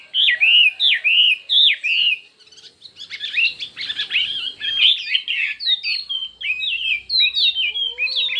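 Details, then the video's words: Chinese hwamei in contest singing with many voices: several loud, down-slurred whistles, then a dense jumble of mixed chirps and whistles, ending in quick rising and falling notes. "Hoạ Mi Hót Đấu Nhiều Giọng"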